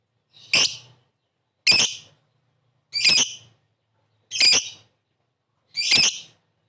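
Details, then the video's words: Lovebird calling, offered as a lure to get other lovebirds responding quickly: five harsh, shrill, high squawks, each brief and buzzy, evenly spaced about every one and a quarter seconds, with nothing else audible. "Suara burung Lovebird memanggil di sertai ngetik ngekek pancingan labet cepat respon"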